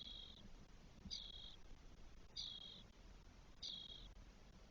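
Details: Nest of four spotless starling young at 12 days old, Spain, June 2022. Four buzzy, wheezing notes come at a steady pace, about one every 1.2 seconds, with a soft low hum underneath.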